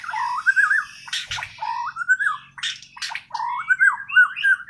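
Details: White-rumped shama from Kalimantan on Borneo giving its natural song without tutor training: loud rolling whistled phrases rising and falling, broken by brief harsh noisy bursts between phrases.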